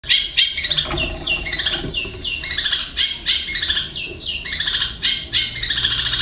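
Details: Kept long-tailed shrike singing a mimicry repertoire of kingfisher, fighting sparrow and lovebird phrases: harsh, buzzy notes sweeping downward, repeated rapidly about three times a second, with rattling overtones and no other clear sounds.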